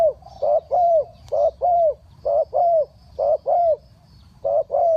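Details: Spotted dove used as a decoy for wild birds, cooing in the 'three kuk hoi' pattern: rhythmic hollow notes in short-long pairs, each long note sagging slightly in pitch, clear and close.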